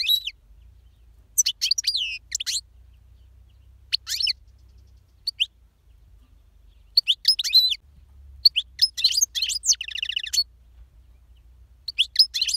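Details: European goldfinch singing strongly: clusters of liquid twitters and slurred high notes, one buzzy rattling phrase near the end, delivered in bursts with short gaps.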